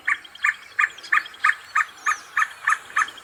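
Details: Red spurfowl on the rocky Matanga hills by the Hampi ruins, Karnataka, in the morning after sunrise, late March 2024, where a male and female roamed the rocks; a steady run of about ten harsh clucking notes, three per second, faint chirps behind.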